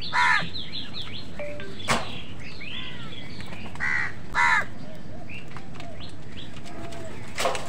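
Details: Crows fighting with wild birds for food: scattered harsh caws, a grating double caw in the middle, mixed with twittering from smaller birds and low rumble.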